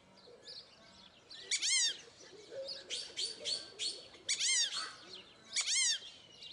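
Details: Group of captive fulvous whistling ducks at Upie Zoo, Drôme, France: sharp, rising-then-falling whistled squeals in a few bursts after a quiet opening, with softer chattering between them.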